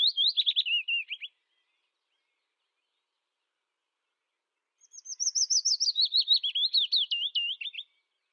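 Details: Willow warbler song: the tail of one phrase, then after a pause a full phrase of soft, high whistled notes that slide gradually lower in a sweet descending cadence, about three seconds long, on a quiet background.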